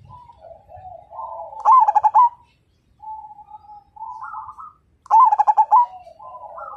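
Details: Energetic zebra dove whose song prompts other birds to join: two loud bursts of fast throbbing coo notes about three and a half seconds apart, softer coos from other doves around them.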